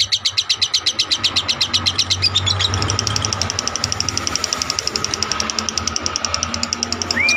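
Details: Lovebird giving a long ngekek trill, recorded as tutoring material for other birds: an unbroken run of sharp, high chattering notes, about seven per second, over a steady low hum, ending with a brief rising whistle.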